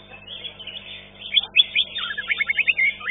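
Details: Cucak ijo, the green leafbird, singing in a caged bird-song contest: a rapid run of high chattering, twittering notes, then a quick series of sharp repeated chirps and trills.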